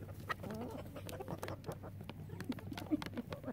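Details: Chickens in a relaxed flock, loud rooster crows left out; soft, low clucks and murmurs overlap with scattered clicks and scratching sounds, all at low volume.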